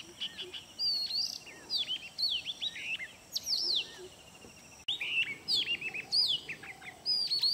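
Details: A male Oriental magpie-robin sings to his mate, trying to impress her: a varied run of sweet whistles, slurred rising and falling notes and quick chirps, phrase after phrase with brief pauses.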